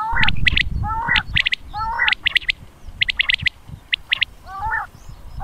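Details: A Common quail recording made as a hunting lure, from Punjab (Mianwali area): quick bursts of sharp, liquid notes in short groups about once a second, over a low rumbling, slightly distorted background.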